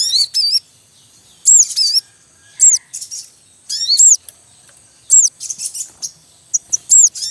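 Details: Javan munia in the wild, a male calling at a nest with chicks: loud high chirps and rising-falling 'cuit cuit' notes in bursts about every second, with nestling calls filling the gaps.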